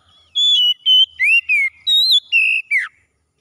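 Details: Oriental magpie-robin in morning song: seven rich whistled notes in quick succession, mixing steady tones with rising and falling slurs, the last sliding steeply down.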